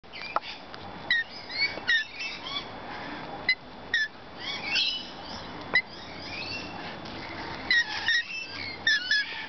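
Lorikeets give short, shrill screeches and squeaky chirps in irregular bursts, several birds calling over one another against a faint outdoor background.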